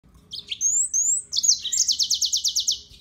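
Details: Yellow-fronted canary (Serinus mozambicus) singing: a few short high notes and two rising whistled slurs, then a fast run of about ten repeated sharp notes, bright and high-pitched throughout.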